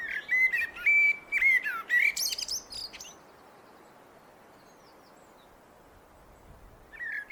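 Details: A common blackbird sings a clear, flute-like phrase of held and sliding whistles ending in a high scratchy flourish, then falls silent before starting a new phrase near the end.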